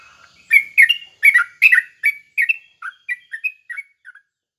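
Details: Sooty-headed bulbul, kept as a cage bird, singing to provoke rival bulbuls into answering: a lively run of short chirpy whistled notes, about a dozen in four seconds, loud at first and gradually fading, with no other sounds.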